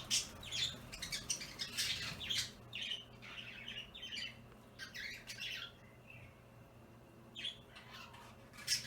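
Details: Three pet budgerigars, opaline violet, lutino and opaline light green, arriving to play with a chain indoors; a rapid run of scratchy chirps and squawks, roughly two per second, thinning into scattered notes.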